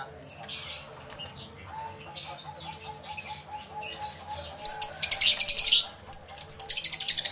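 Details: A flock of lovebirds in an aviary, recorded in stereo with two external microphones: irregular shrill chirps build into a dense, noisy burst of overlapping chatter, then rapid repeated squeaks over a faint hum.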